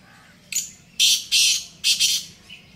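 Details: Black francolin calling in the jungle: a loud, harsh, grating phrase of four broadband rasping bursts over about one and a half seconds, the middle notes longest, with a faint chirp before and after.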